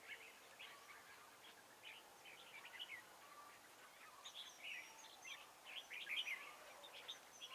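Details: Red-whiskered bulbuls at a trapping site in Hoa Binh on 10 December 2017. The weather is cold but the birds are aggressive. Faint, scattered chirpy and whistled notes come from more than one bird, growing busier toward the end, over steady outdoor background noise.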